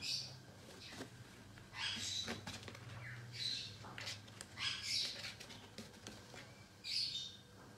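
African grey parrot chicks give harsh, raspy hissing bursts every second or two, some rising into scratchy squeals, over a low steady hum.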